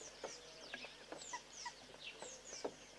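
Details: A southern pied babbler hopping along a fence gives harsh, chattering notes in quick irregular bursts, several short squawks a second, with a few clearer whistled notes mixed in.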